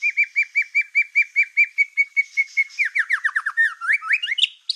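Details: Energetic black-tailed white-rumped shama song meant to excite other shamas: a steady series of identical short whistled notes, about one per second, then a tumbling run of rapid falling and rising whistles.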